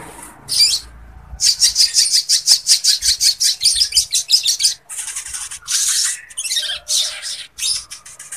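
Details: Lovebird song for training birds and stirring breeding readiness: a steady train of sharp, buzzy high chips, roughly three per second, giving way to broader grating bursts and a short warbled sweep near the end.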